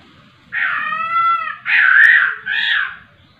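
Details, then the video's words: Laughingthrush in vigorous song with three loud, nasal, ringing phrases: a steady held note, then a harsh wavering one, then a shorter bright note, each separated by brief pauses; faint low hum behind. "poksay rowo super gacor"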